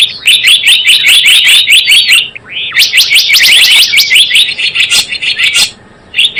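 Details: Java sparrow sounds used to lure birds into traps and to train others: dense bursts of high, clipped chirps and rising slurred notes, broken by a brief pause and a short silence near the end.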